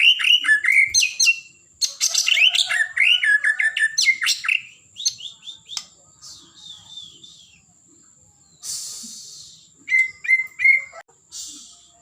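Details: White-rumped shama of the blorok type: loud bursts of fast whistled and chattering phrases, a quieter gap with a hiss, then repeated clear rising whistles, over a constant faint high hum.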